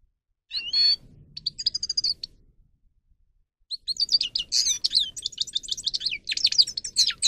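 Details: Grey-crowned goldfinch (Carduelis caniceps) singing, meant for training: a few twittering phrases, a pause of about a second and a half, then a long run of rapid, high, varied chirps and trills.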